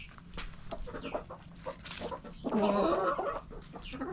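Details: Chickens inside a backyard coop, soft scattered clucks and chirps leading into a louder, drawn-out harmonic squawking call lasting about a second before quieter clucks resume.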